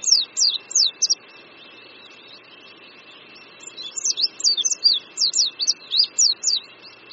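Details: Oriental white-eye perched on a branch above a creek in Qingdao, Shandong, China, in spring 2014, singing high, thin, rapid sharply descending notes in quick bursts with short pauses; faint steady hum underneath.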